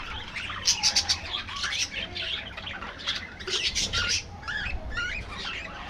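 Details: Budgerigar colony in an aviary, several loud squawky bursts near the start, then rapid chattering warbles and rising and falling whistled squeaks from many birds at once.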